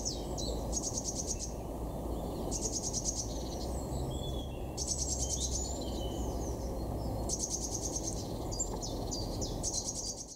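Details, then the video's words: Great spotted woodpeckers in a territorial fight in a garden orchard give high, buzzy chattering bursts about every two seconds, with other small bird chirps over a steady low rumble. "Great spotted woodpeckers fighting"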